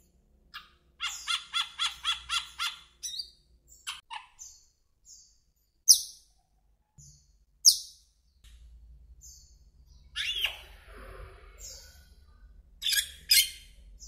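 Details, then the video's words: Asian glossy starling (Aplonis panayensis), a species introduced to Taiwan, gives a quick run of shrill, ringing notes, then sharp metallic whistles and scratchy chatter at irregular intervals over a faint low hum. "輝椋鳥(亞洲輝椋鳥)/Asian Glossy Starling"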